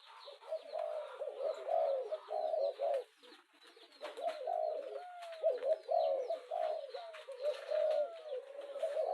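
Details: Spotted dove urging call used to excite a decoy bird: a run of rolling, hollow coos broken by a short pause midway, backed by scattered high twittering from other birds.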